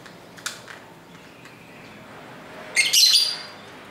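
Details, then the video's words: Pet lovebirds talking to each other indoors, street ambience behind: a few faint ticks, then a burst of rapid harsh high chirps near the end. "Love Bird Sounds for 15 Minutes"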